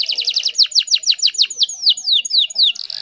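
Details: Female canary in breeding mood calling to a male, used to make canaries sing keenly: quick rattling notes slow into evenly spaced sweeping downslurs, about four per second, ending in a soft buzz.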